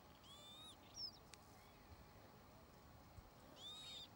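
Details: Northern lapwing, heard in flight, giving two wheezy, slurred 'pee-wit' calls about three seconds apart, with a short thin note between them over faint background hiss.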